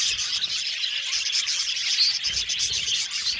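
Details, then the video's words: Steady, busy twittering of a budgie colony in an aviary: many overlapping high chirps and warbles at an even loudness throughout, with no pauses. "Beautiful budgies chirping sound"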